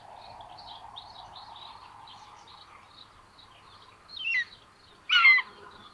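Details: Two Common Buzzard chicks sharing food in a nest watched by a live nest camera at Tiszalök, Hungary, on June 8, 2022. Two short, loud, descending squealing calls come near the end over steady high chirping and a low hum.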